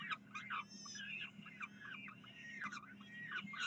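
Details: Saturday morning, 9 June 2012, University of Calgary peregrine falcons calling for food: jumbled, quick chittering and squealing notes rising and falling, with a steady low hum underneath.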